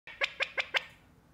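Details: A pet California quail giving its alarm call: four sharp, clipped notes in quick succession, about five per second, bright and metallic, then falls silent.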